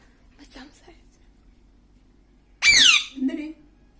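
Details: Parrot in the early morning giving one loud, harsh squawk that sweeps downward, followed by a softer, lower call, with faint murmuring voices before it.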